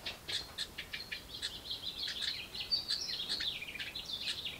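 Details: Nestling house wrens beg from a parent bringing food to the nest box. Rapid, high, raspy squeaks run into a sustained buzzy, wavering chatter that rises and falls slightly.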